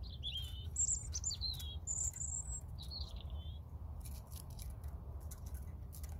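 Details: European robin singing a varied phrase of thin, high whistled notes sliding between pitches, some sharply rising and falling, followed by soft clicks and rustling over a steady low rumble of background noise.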